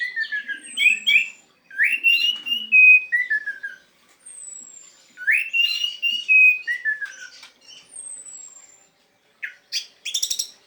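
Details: ['Orange-headed thrush singing in teler style, used as a lure for thrushes that have stopped singing; clear whistled phrases rising then sliding down, each set off by a thin high whistle, repeated about every three seconds, ending in sharp chirps.']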